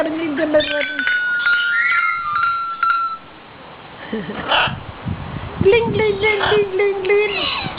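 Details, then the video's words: A common hill myna, kept as a talking pet, gives a long falling whistle with overlapping chatter. After a short pause, harmonic voice-like sounds follow, in keeping with its ability to talk and imitate a pigeon or a guitar. ""Das ist ja gemütlich" sprechender Vogel (sprechender Beo )"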